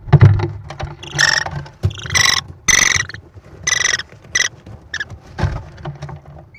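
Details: American kestrel nest in Wisconsin on May 13, 2021, filmed by nest camera as the mother arrives with prey to feed her four chicks; loud harsh, raspy bursts with bright overtones come in uneven runs, with brief pauses and thumping sounds between them.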